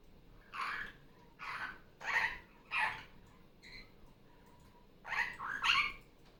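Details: Captive female superb parrot squawking during Sunday morning playtime after leaving her nest. Rough, scratchy calls come in a run of four, then a pause, then a closer pair. Other parrot recordings play faintly from a tablet.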